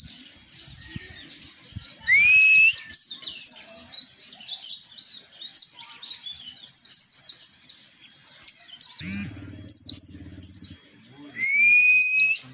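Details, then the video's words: An Oriental white-eye sings a fast, high, unbroken twitter of thin chirps with two loud, clear upslurred whistles and a brief thump near the end. The song is used as a lure to prompt other white-eyes to open their beaks and answer. "pancingan pleci agar buka paruh,ampuh langsung nyaut"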